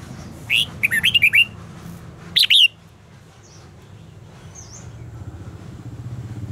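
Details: Red-whiskered bulbul, contest-style song used to stimulate birds: a quick series of five or six chirpy whistled notes, then a louder two-note warble, followed by faint high chirps and steady low background noise.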